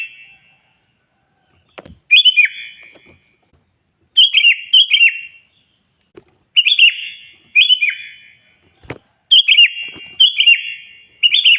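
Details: Sooty-headed bulbul singing loudly to call a rival: bursts of two or three bubbly, slurred whistles that dip downward, coming every two to three seconds, with occasional sharp knocks in the background.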